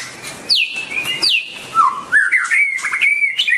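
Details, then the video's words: White-rumped shama (Copsychus malabaricus) singing two loud downward-sweeping whistles, then a lower rising phrase leading into a warbling run of varied notes. "White-rumped shama(Copsychus malabaricus): Beautiful Birds,Dancing And Singing Chirping Sounds Great"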